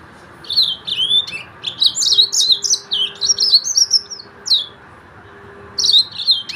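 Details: Short, lively phrases of high, sweet, downslurred whistles and chirps from a yellow-fronted canary, separated by brief gaps, with a faint low electrical-sounding hum.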